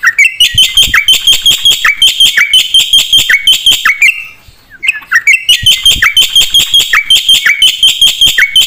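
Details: Black-winged starling in prolific song with fill-in phrases. Short, bright, whistled-and-scratchy phrases repeat rhythmically, each ending in a lower downslurred note, interrupted by a quiet gap of about a second.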